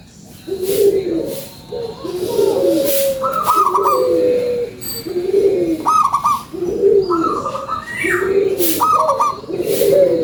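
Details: Lure song of a local zebra dove in strong voice: rhythmic phrases of a short high note then warbling, bubbling coos, repeated about every two seconds over faint ambient noise.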